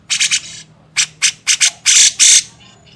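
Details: Grey-cheeked bulbul in a songbird training master: three quick hoarse rasps, then spaced harsh bursts that lengthen into two long, loud scratchy notes near the end.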